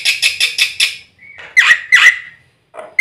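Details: White starling (black-winged myna) voice in a training recording for stimulating birds to sing. Five rapid harsh, grating notes are followed by a drawn-out nasal tone and two loud, squealing calls.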